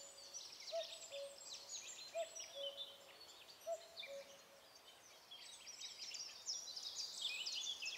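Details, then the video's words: Common Cuckoo, the first of the year, singing from high in a tree directly overhead in the Alblasserbos: three low falling cu-coo phrases in the first four seconds, then a dense, loud chorus of high warbling songbirds takes over. "Zingende koekoek boven mijn hoofd"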